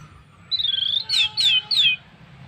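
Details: Orange-headed thrush song meant to draw other birds into singing: a long, thin, falling whistle followed by three clear, descending whistled notes in quick succession.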